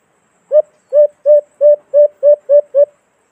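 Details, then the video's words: Calling white-eared brown dove (alimokon), recorded as a lure for cage-trap hunting in the Philippines: a brisk series of eight deep, rounded hoo notes at an even pace and level pitch, with nothing else audible. "Magandang huni ng alimokon"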